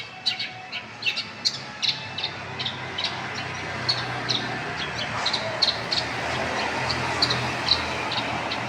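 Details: Long-tailed shrike in full song, a rapid run of sharp high chips and brief warbled phrases repeated about twice a second, with constant low traffic rumble behind.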